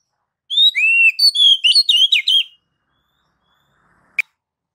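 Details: Oriental magpie-robin (kacer) ngeplong song used as a master to prompt kacer to sing: one two-second phrase of loud, clear, varied whistles, followed by silence and a single sharp click.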